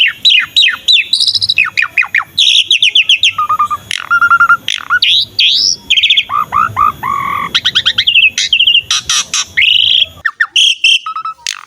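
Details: Jalak suren, or Asian pied starling, in steady full song offered to coax other starlings to sing; fast chattering series, downslurred whistles, and flat buzzy notes follow one another with almost no pause.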